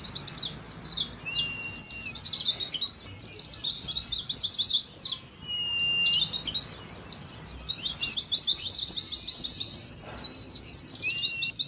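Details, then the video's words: Oriental white-eye twittering ngeriwik song for training and contest simulation: a continuous stream of quick, high, jumbled chirps and trills, with a few short level whistles at lower pitch and a brief pause near ten seconds. "TERAPI PLECI NGERIWIK , PANCINGAN PLECI NGALAS , SIMULASI LOMBA"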